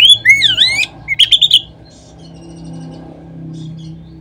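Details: Oriental magpie-robin on a lure track meant to trigger other magpie-robins to sing: a swooping whistled phrase, then a rapid burst of four short sharp notes, followed by near silence with low background hum.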